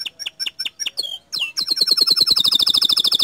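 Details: Canary singing gacor: evenly spaced high chips and a falling whistle, then a long fast run of sharp, bright repeated notes at a steady pitch.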